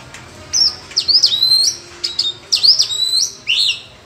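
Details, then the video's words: Oriental magpie-robin in wild, competitive dueling song: rich, varied whistled phrases with sliding and rising notes in quick bursts about every second. "chòe than hót đấu giọng"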